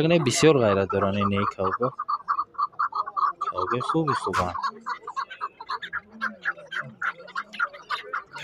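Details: Chukar partridges for sale at the Zarafshon partridge market in Dushanbe, February 2024; a steady run of short clipped chuck notes repeats several times each second, following a burst of loud laughter and men's voices.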